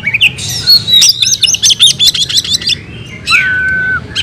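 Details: Caged oriental magpie-robin in full fighting song, packed with mimicked phrases: a high whistled opening, then a rapid burst of scratchy, chattering notes around the top of its range, ending in a long steady whistle and a final sharp chip.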